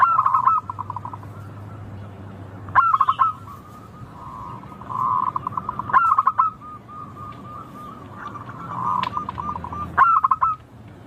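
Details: Local Indonesian zebra dove (perkutut lokal), a melodious, clear song meant to prompt other birds to sing. Four phrases, one every 3–4 seconds. Each phrase is a bright stuttered coo, then a trill of rapid soft notes held at one pitch. A low hum underneath.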